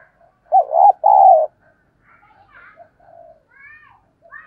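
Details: Decoy spotted dove cooing to attract wild doves: a single loud phrase of a hoarse double note and a sustained, slightly falling coo, followed by soft chirps and whistles from other birds.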